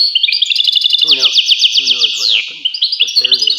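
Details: European goldfinch in full song: fast repeated high notes in quick series, a sweeping downward slide, and tinkling trills, mixed with lower nasal chattering.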